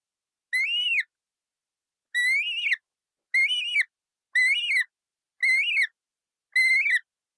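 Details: Colourful parrot repeating six short, harsh calls at roughly one-second intervals. Each call is nasal and rich in overtones, with a quick rise and fall in pitch. No other sounds are heard.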